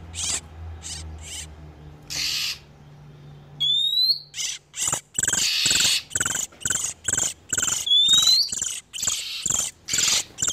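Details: Oriental magpie-robin sounds of a male and female in breeding condition, used as a lure for catching wild birds: harsh broadband churring bursts repeated about once a second, with two rising whistled slides, over a low steady hum.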